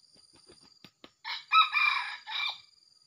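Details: Red junglefowl, wild, at a junglefowl trapping site, arriving with its young male; a single harsh, broken crow lasting about a second and a half, preceded by a few soft clicks, over a steady high-pitched insect whine.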